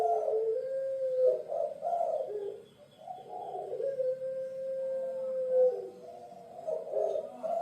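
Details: Indonesian puter pelung dove from Java: a series of mellow coos, one held long and level, with short bursty notes between and a soft pause midway.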